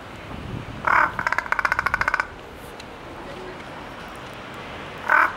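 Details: Large-billed crow at Ueno Zoological Gardens, calling in varied voices: a short harsh caw followed by a rapid rattling series of pulses, then quiet background and one more brief caw near the end.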